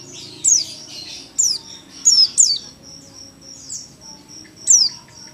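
An Oriental white-eye gives thin, very high, sharply falling notes in short bursts, with faint steady high twittering in the background.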